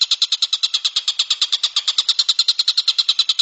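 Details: Tengkek buto kingfisher calling, a recording meant for tutoring songbirds: a continuous, even rattle of shrill clipped notes at a quick rhythm, roughly nine each second, with no other sounds.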